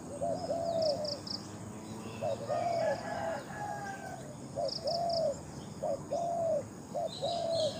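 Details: Spotted dove, a captive decoy bird noted for its big voice, repeating a mellow hooting coo, each short pickup note followed by a longer hoot, with bursts of high twittering from other birds.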